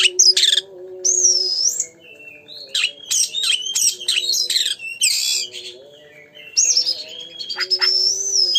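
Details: Oriental magpie-robin song meant to spur singing: clear looping whistles alternating with dense harsh, chattering bursts, repeated through the passage, with a low steady hum behind.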